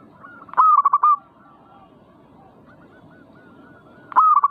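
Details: Caged zebra dove, provoked to sing, delivers a quick rolling burst of stuttered coo notes, then a pause of about three seconds before the same rolling phrase starts again, over a low steady hum.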